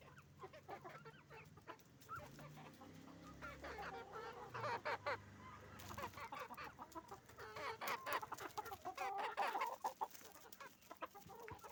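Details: Roosters and hens on a chicken farm making noise; bursts of loud overlapping clucks and cackles, busiest in the second half, with a low rumble beneath.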